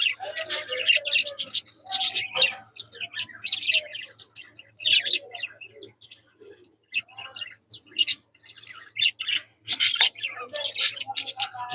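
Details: Playful caged budgerigars starting their mischief give squawking chatter: irregular bursts of harsh scratchy chirps and warbled notes with short pauses, over a faint low hum.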